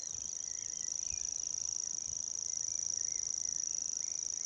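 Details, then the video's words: Grasshopper warbler reeling in Maridalen, Oslo, 1 June 2022. A continuous, very high, mechanical trill stays level and steady for the whole stretch, with soft scattered notes from other birds and low rumbles in the background. "Grasshopper Warbler singing"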